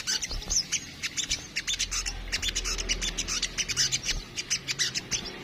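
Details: High, rapid chipping and twittering from a crimson sunbird, locally sogok ontong, in kemrecet style, steady quick notes throughout with a soft low hum underneath.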